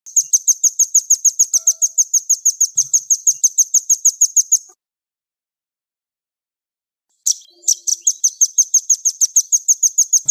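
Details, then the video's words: Released nuthatch giving rapid, high, dry trills of evenly spaced notes, about three per second, in a bout of nearly five seconds, then a pause and a second trill starting with a sharper note; no other sounds. "Rilis burung rambatan"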